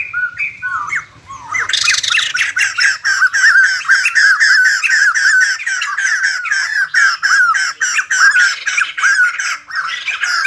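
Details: White-crested laughingthrush, kept bird, singing and dancing: a few low squawks, then a long fast train of harsh chattering notes with whistled overtones, steady and loud.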